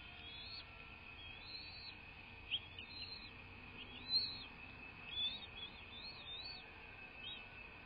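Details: Bald eagle at a nest on a live camera, 01.03.2024 at 06:39, giving a rapid series of short high chirping whistles, rising and falling in quick succession, with a steady hum underneath.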